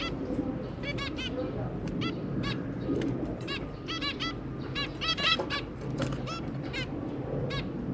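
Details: Two zebra finches and their three babies, 23 January 2022: dense overlapping honking beeps from several birds, coming in quick clusters through eight seconds, with constant low background rumble.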